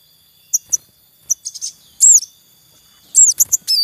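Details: Wild Javan munia at a nest with chicks, male calling: sparse high, thin chirps and short upswept notes in scattered bursts, with a few quick clustered calls near the end and quiet background.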